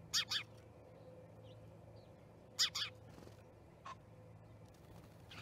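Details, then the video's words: Starlings gathered at an osprey nest in Charlo, Montana, 10/07/2019, caught on a live nest camera; paired harsh, scratchy notes come twice, then a short squeak and faint rasping, over a constant low electrical hum. "Starling Party"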